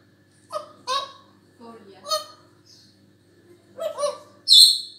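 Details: African grey parrot calling: scattered honking and squawking notes with nasal tones, ending in a loud high whistle, over a steady low hum.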